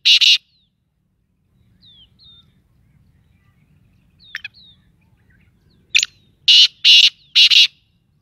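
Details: Black francolin, Sindh, Pakistan: a harsh rasping note, faint chirps from other birds in between, then the grating call of several buzzy bursts repeated rapidly near the end.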